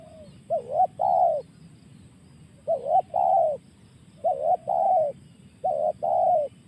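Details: Spotted dove (tekukur) giving its 'tekan' call style: four two-part phrases, each a short wavering coo followed by a longer, steady, mellow coo, repeated about every 1.7 seconds over a soft low background hum.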